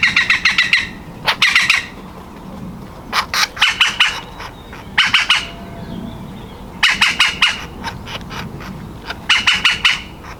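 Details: Young woodpecker in the nest cavity, ready to leave any moment, calls in rapid chattering bursts of harsh notes separated by short pauses, with quieter single calls between.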